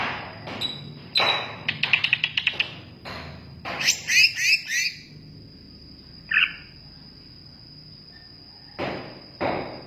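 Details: Greater green leafbird singing: scattered sharp chirps and a rapid trill, then a run of bright rising whistled notes, a lone chip and later harsh notes, with a steady high whine in the background.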